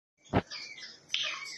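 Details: An African grey parrot, a pet, talks in a brief, reedy, whistle-toned utterance in two parts, opening after a soft thump.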